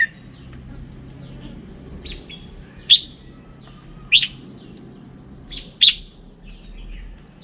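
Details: Red-whiskered bulbul with a 'standard' voice: three loud, sharp, clipped chirps about a second and a half apart. Faint twittering and a low hum sit in the background.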